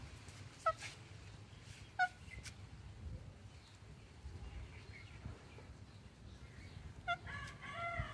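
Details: Pet rose-ringed (ringneck) parakeet gives three short, sharp harmonic squawks a second or more apart, then a harsh, buzzy chattering burst, over a steady low rumble.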